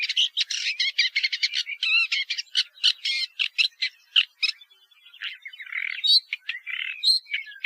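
Woodchat shrike song: a rapid, scratchy jumble of harsh chattering notes and squeaky whistles, fast and varied, slowing into slurred warbled phrases near the end.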